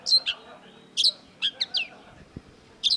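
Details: Long-tailed shrike (cendet) singing vigorously, from a long masteran tutor recording: varied high, harsh notes and short slurred phrases in irregular bursts, with quiet gaps between them.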